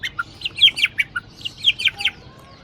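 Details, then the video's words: Aceh white-rumped shama kept in a cage by a breeder. A quick chattering run of sharp, high, downward-slurred notes comes in two clusters, with a soft low whistle near the end. "Murai Batu Aceh"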